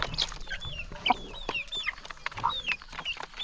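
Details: A hungry flock of chickens at morning feeding, with a run of high, falling peeps roughly every half second mixed with low clucks and pecking clicks.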